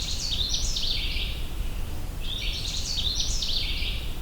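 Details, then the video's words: Canada Warbler on the Minister Creek Trail, Allegheny National Forest, Pennsylvania, June 6, 2023, gives two quick, jumbled, bright warbling phrases, each about a second long, over a steady low rush like running water. "I'm pursuing a Canada Warbler, a small, colorful warbler with a bright and cheery warbling song that sounds like this."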